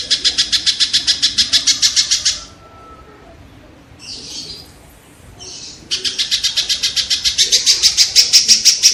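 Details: Kingfisher giving a fast series of harsh, rasping notes that fades out, then a quiet pause with faint scratchy sounds. A fresh series follows, gradually louder. Audio used to tutor competition songbirds.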